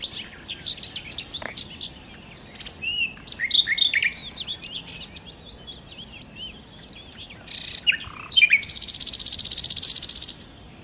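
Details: Varied twittering and whistled phrases from a nightingale, locally sikatan londo, with a few loud sharp notes, then a long harsh buzzy rattle held steadily for nearly two seconds.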